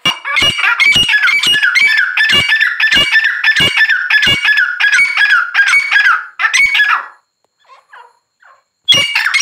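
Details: Grey francolin calling loudly in a fast stream of harsh, squawking notes for about six seconds, punctuated by sharp clicks. A short pause with faint soft notes follows, then the loud calling starts again.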